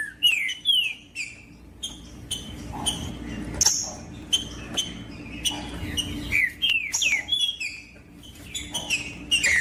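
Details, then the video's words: Green-winged saltator song meant to excite other saltators: scattered slurred whistles and short downward notes with gaps between phrases, plus sharp clicks and a faint background hum. "MELHOR TRINCA FERRO PARA ESQUENTAR TRINCA FERRO COM TRINCA FERRO CANTANDO"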